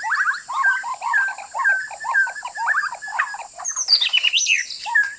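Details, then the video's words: Shama song played as a trapping lure: the white-rumped shama repeats bouncy whistled phrases of quick linked notes, roughly two per second, ending in a high sweeping flourish; a faint constant electronic whine runs underneath. "สียงนกกางเขนดง(บินหลาดง)เสียงต่อ คม ชัด"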